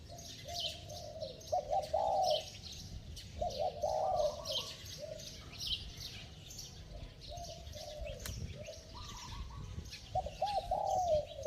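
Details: Spotted dove with a bell-like voice and rapid cooing to excite slow-responding wild-caught doves: several bursts of low, quavering coo notes separated by pauses, with a busy high-pitched buzzing and hissing background.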